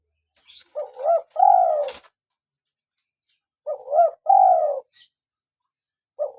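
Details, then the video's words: A local spotted dove, used to lure doves and encourage captive birds to call, repeats its mellow phrase about every three seconds. Short soft notes rise into a hoot, then a long falling coo follows, and a third phrase begins at the close. "PANCINGAN SUARA ASLI BURUNG TEKUKUR LOKAL GACOR"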